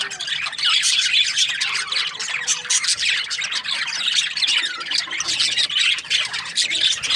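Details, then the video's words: Chattering flock of budgerigars in breeding season, constant high twittering and scratchy squeaks overlapping with no silence, evenly loud throughout. "Happy budgies chirping sounds | breeding season"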